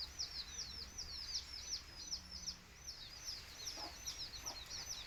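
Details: A chick of a backyard native chicken flock peeps clearly, rapid high up-and-down cheeps repeated about two or three per second, with fainter chirping from other chicks and soft background hiss.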